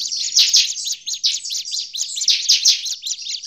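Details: Agitated Bar-winged prinia calls, used as a lure for prinias in forest: a dense stream of high, sharp chirps, repeated many times a second with louder bursts around half a second and two and a half seconds.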